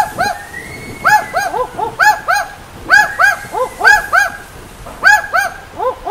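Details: Barking Owl from Australia's Top End around Darwin, its call likened to a distant pack of dogs: rapid series of doubled, hoarse woofing notes, overlapping pairs repeating roughly once a second, loud and close.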